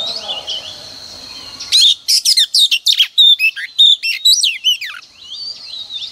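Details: Female oriental magpie-robin singing, played mornings to excite males: soft background whistling gives way to a loud run of rapid high chirps, buzzy notes and downslurred whistles for about three seconds, then quieter distant calls.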